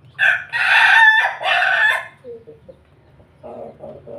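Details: Laughing crow of a Pelung rooster at feeding time: a loud, harsh, broken crow lasting nearly two seconds in two surges, then a few soft clucks and a short run of three rough notes.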